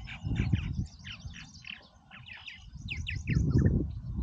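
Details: A busy flock of purple martins at Oak Harbor, Ohio, gives rapid repeated chirps and croaky gurgles, several every second, against low rumbling background noise.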